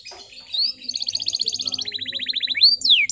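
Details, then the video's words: Female canary voice played to prompt young male canaries to sing: a brief whistle, then rapid buzzy trills stepping lower, ending in sharp rising and falling sweeps. "PANCINGAN KENARI BAHAN AGAR CEPAT GACORR"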